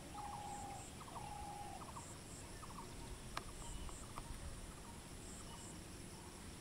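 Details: A bronze-winged jacana, roaming and feeding, gives two drawn-out flat whistles, then clusters of short piping notes, over a steady low rumble and faint high insect hiss.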